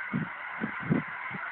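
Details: Huge flock of thousands of geese at Lower River Road, Washington, recorded on a phone; low honking calls, four or five bursts in quick succession, over a steady broad wash of distant flock noise.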